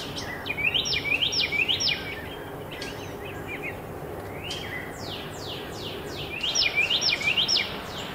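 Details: A female pileated woodpecker, squawking through a neighborhood near a hawks' nest, gives two quick bursts of ringing, slurred notes, four or five per burst. Fainter high bird notes and steady background hiss fill the gap.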